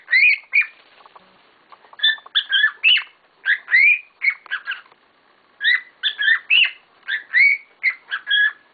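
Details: Pet cockatiels, several together, calling excitedly indoors: dense strings of whistled chirps and rising squeaky notes, grouped in runs of four to six with short breaks.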